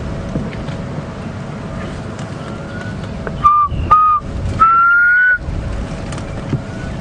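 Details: A Black Cuckoo on a morning game drive at Djuma, Sabi Sand, South Africa, on 16 October, gives its melancholic call: three mournful whistled notes, two short and a longer rising one like 'I'm so sad', over engine rumble and wind.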